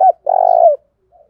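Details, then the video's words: Spotted dove used as a lure to make another dove call: a brief coo then a sustained, slightly pulsing coo that slides down at the end, with a faint far coo afterward. "Tiếng chim cu gáy kích bổi nhanh nổi, cu gáy mồi thúc luyện bổi hiệu quả"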